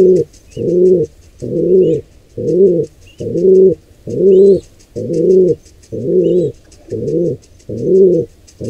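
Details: A run of about ten deep, rhythmic coo notes, just under one per second, comes from a pigeon at a wild nest where a squab is attacked by an intruder pair; small birds chirp faintly overhead.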